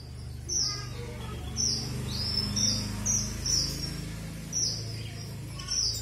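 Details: Red avadavat (Amandava amandava, strawberry finch) giving thin, very high chirps and short twittering phrases about once a second, over a steady low hum.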